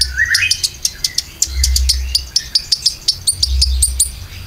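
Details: Konin song for luring and teaching caged birds, opening with a short rising whistle and followed by a long series of crisp high chirps repeated several times a second, over a faint low hum.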